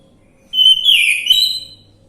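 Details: Male orange-headed thrush song used as a lure recording to prompt a silent bird to sing: one loud, rich whistled phrase, starting with a clear steady note, then sliding and warbling downward, lasting about a second over quiet background.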